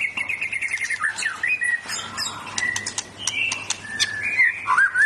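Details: White-rumped shama, owned as a pet, in a powerful song full of bursts and fill-ins. A long descending whistled run is followed by crisp ticks and clicks, short flat whistles and a final upward slur.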